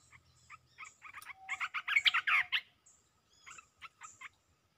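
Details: Red-whiskered bulbul in a rapid 'poen dok' singing bout: fast chattering, gurgling notes pile into a dense loud cluster mid-way, with sparser sharp chips before and after.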